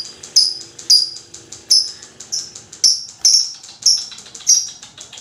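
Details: Lovebird chattering at length to stir other lovebirds into singing, giving loud, piercing high squeaks roughly every half second over a quieter buzzing, ticking chatter underneath.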